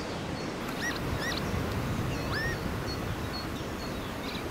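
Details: A northern lapwing on a flooded wet-grassland site at Erve Vleerboer, Netherlands, on a sunny day with a strong, cold north wind, gives a few wheezy, slurred 'pee-wit' calls that swoop up then down, over a steady rumble of wind or water.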